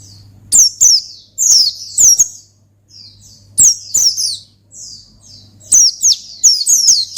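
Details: Oriental white-eye song used to call and provoke a rival: bursts of high, sweet descending whistled notes in quick clusters, separated by short pauses, with a faint low steady hum beneath.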